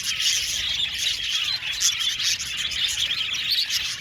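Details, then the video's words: Flock of budgies in an aviary filling the air with constant bubbly chirps and warbled squeaks, a thick chorus of many voices at an even level. "Beautiful budgies chirping sound"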